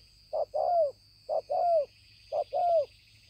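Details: A decoy spotted dove, recorded 5 September 2020, gives three clear coos, each a short hoot then a longer falling note, spaced about a second apart against a thin high hum.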